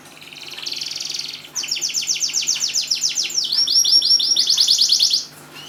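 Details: Canary singing, used to get silent canaries to start singing: a high trill, then a series of quick repeated upward-swept notes, then faster looping notes, each phrase sharply changing tempo.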